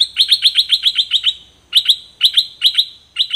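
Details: Two songbirds give quick runs of high, bright chirps, about six or seven per burst, with short pauses between bursts; a new 2020 recording meant for teaching young birds to sing along.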